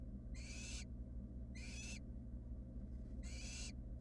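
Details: Three fluffy wild barn owl nestlings in a nest box: three rasping, breathy hisses, each about half a second long and spaced roughly a second apart, above a constant low hum.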